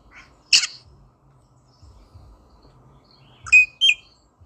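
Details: Rosella giving harsh, squawky calls: one loud broad chattering burst early, then a quick pair of sharp, slightly rising squawks near the end, separated by quiet with only faint low background rumble.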